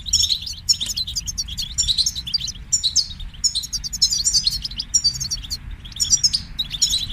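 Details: European goldfinch song, a training recording meant to stimulate singing: rapid twittering phrases of tinkling notes and buzzy trills, in bursts separated by brief pauses, with faint low background hum.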